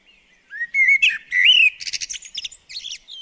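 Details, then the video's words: Garden bird-table visitor, a common blackbird, gives one full song phrase: rich fluty whistles sliding up and down, then a rapid burst of thin, high scratchy twitters trailing off. "Garden Birds Singing The Blackbird"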